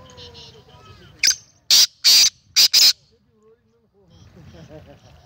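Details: A black francolin (kala teetar), 19 April 2020, utters a loud scratchy five-note phrase: one clipped note, two longer harsh notes, then a fast closing pair. Quiet voices are heard on either side.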